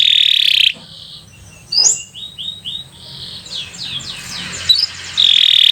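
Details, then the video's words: Atlantic canary in long gacor song as a lure for young or stalled canaries: a loud buzzy high trill opens, softer sliding whistles and swoops follow, and another dense trill closes the phrase. "Kicau Burung Kenari 80 II GACOR PANJANG"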